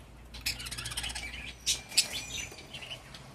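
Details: Pet budgerigar giving quick, thin, high chirps in short uneven bursts. The chirps are fairly soft over a low background hum, with a couple of louder sharp notes near the middle.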